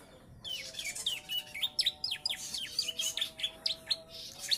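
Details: Three-month-old Bar-winged prinia, a young bird tutored with ciblek song, gives a fast run of sharp downslurred chirps, about four per second and unevenly spaced, above a faint steady hum.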